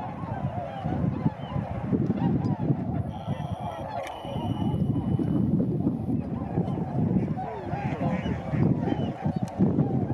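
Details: Tundra swans in flight over Sasagata, Japan, on 3 November 2018; a dense chorus of many overlapping honking calls runs throughout over a steady low rumble.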